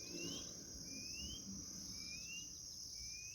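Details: Chorão, or white-bellied seedeater, in the bush giving clear rising whistled notes, four in a row at about one-second intervals, with constant shrill insect buzzing behind.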